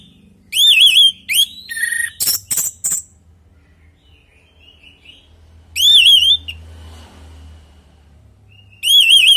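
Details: Natural song of an orange-headed thrush, played to prompt other birds to join in: loud bursts of wavering whistles with harsh rattling notes, separated by pauses of several seconds, a distant faint chirp between.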